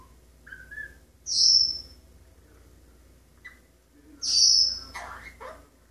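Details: Household male Maximilian's pionus parrot practising scales and partial songs: two loud shrill high whistles about three seconds apart, with short lower whistled notes and chirps before and after each.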